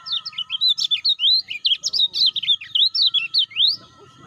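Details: Lemon-bellied white-eye played to stir caged birds into calling: a long run of fast, sharp chirps and slurred twitters, evenly spaced, closing with an upward-swept note, with a steady faint hum underneath.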